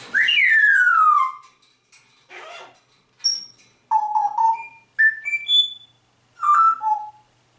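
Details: Pet grey parrot whistling a melody, mimicking the pop song "Atemlos durch die Nacht" by Helene Fischer: a long descending whistle, then a string of clear short whistled notes stepping up and down in tune, some doubled. Indoors, no music playing.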